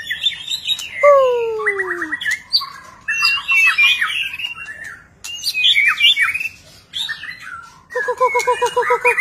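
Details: White-rumped shama singing during display in a many-voiced style: varied phrases of slurred whistles, two long descending glides, buzzy trills and a fast rhythmic chatter at the end, with a low steady hum behind.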